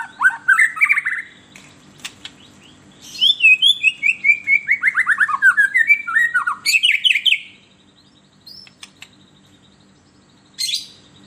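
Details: White-rumped shama song used as a lure for captive birds: a rich run of whistled, rapidly repeated slurred notes sweeping down, then sharp high bursts, with pauses between phrases.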